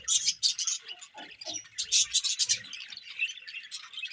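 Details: Several budgerigars chatter at morning feeding, giving harsh, scratchy squawks and rapid high chirps in quick bursts, with soft low thuds underneath.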